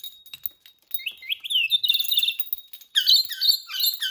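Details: Pet rainbow lorikeet going crazy over its favourite bell toys: rapid series of shrill rising screeches and harsh chattering notes, growing denser and louder toward the end, with bells jingling in the background.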